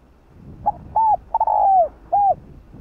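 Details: Cooing phrase of a spotted dove used to prompt a caged bird to sing: brief opening note, a rounded coo, a stuttered pair leading into a long falling coo, and a closing coo, clean and low-pitched.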